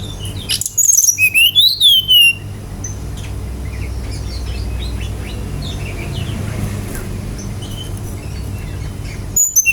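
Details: Brown-chested jungle flycatcher song used as a lure to prompt other birds to sing: a two-second burst of high, sweet whistled phrases with quick rising and falling slurs, then faint scattered notes over a steady low rumble.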